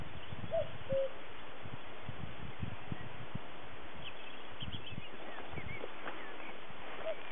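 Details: Common cuckoo on Winsford Hill, Exmoor, near the Caractacus Stone, recorded in 2017 with an old digital camera; one clear falling two-note cu-coo near the start, another note at the end, over heavy low wind rumble.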